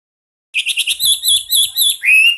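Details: Hwamei champion singer starts after a short silence with quick chattering notes, flows into warbled phrases and ends on a long, clear rising whistle.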